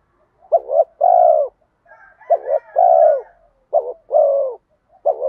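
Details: Spotted dove lure call meant to pull wild doves in, bronze-voiced cooing. Three phrases, each a stuttered two-part note leading into a long, steady, gently dropping coo. Faint higher twitters are heard in the background.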